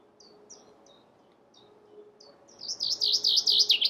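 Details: A few faint, scattered high chips, then a Chaffinch starts a loud, fast series of repeated notes that is still going when the recording ends.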